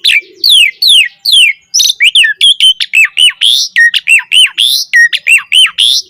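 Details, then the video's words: Black-collared starling in full, vigorous song with rich filler notes: descending whistled slurs, then a rapid string of loud, repeated down-and-up whistled notes with sharp bright accents. "Jalak Suren Gacor Mompa Isian - Pancingan Jalak Suren Agar Burung Jalak Cepat Gacor Isian Mewah"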